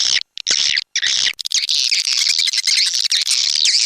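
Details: Swiftlet house lure sound of the Indonesian style called SP Anak Gembala, an outdoor sound used in Sóc Trăng and Đắk Nông, Vietnam: dense high chirping and buzzy twittering, near-continuous after brief gaps at the start.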